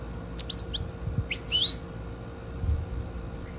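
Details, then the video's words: Tame European goldfinch raised by hand and kept at home, reacting to its owner's voice: a few short, high, sharp chirps and a rising twittered note in quick succession, over a steady electrical hum and low rumbling. "Goldfinch tweeting with the master"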